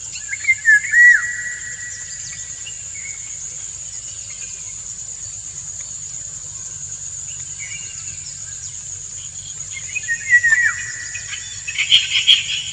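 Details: Indian golden oriole male courting a female with song as she dances; a short phrase of loud whistled slurs at the opening, a long quieter stretch, then another run of bright whistles near the end, steady insect drone throughout.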